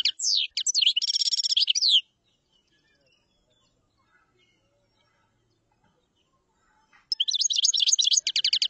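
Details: Common chaffinch song heard in two parts: the end of a phrase with a buzzy trill and a falling note, then a long silence, then a new rapid series of bright repeated notes starting up.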